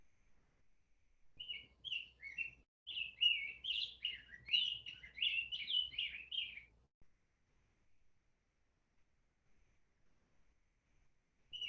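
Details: Rose-breasted Grosbeak singing, in Vermont forest birds context: a sweet, rich, robin-like warble of quick rising and falling phrases for about five seconds, then again after a pause; likened to a robin with voice lessons, fuller and richer than a robin.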